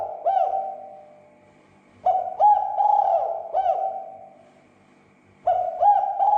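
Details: Spotted dove call used to excite other doves into calling: low, resonant cooing in three phrases, the middle one longest with four rolling notes, separated by quiet pauses of about two to three seconds.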